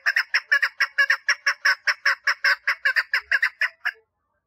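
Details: Female chukar partridge seeking a mate, uttering a quick train of coarse, chuckling notes for about four seconds before falling quiet.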